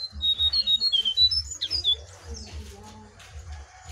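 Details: Jongkangan singing in a wild versus caged contest: clear whistled notes near the top of the range, repeated quickly with short gaps, over a low rhythmic thumping.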